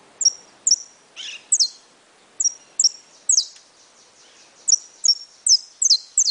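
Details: Brown (pardo) saffron finch giving spaced high chirps with thin trailing whistles, a softer rasping note early on, then a quicker closing cluster of sharp descending notes.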